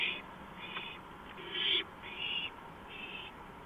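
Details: An owl calling on a porch in the small hours of April 5, 2015, at 2:05 AM. It makes a run of raspy, hiss-like screeches, with one louder and longer burst near the middle, over a faint constant hum.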